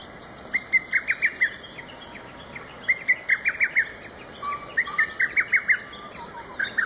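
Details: Distant Lesser cuckoo calling loudly in early morning on a local riverside floodplain, taken handheld with a single-lens camera: three bursts of five or six sharp whistled notes in quick succession, each burst about two seconds apart, over faint background hiss.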